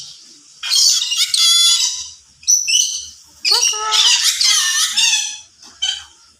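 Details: Yellow-sided conure said to be able to talk gives long, raspy, harmonic squawking phrases with speech-like rises and falls, three main bursts separated by short pauses.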